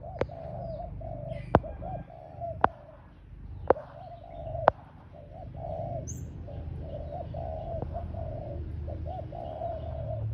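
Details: Spotted dove kept as a ground decoy bird, giving soft low coos in short grouped phrases, with several sharp loud clicks early on, faint chirps and a steady low rumble behind.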